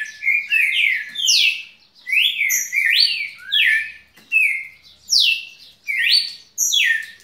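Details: Red-cowled cardinal kept as a pet, singing continuously: bright, clear whistled phrases sweeping up and down, delivered in a steady series roughly every second, with no other sounds.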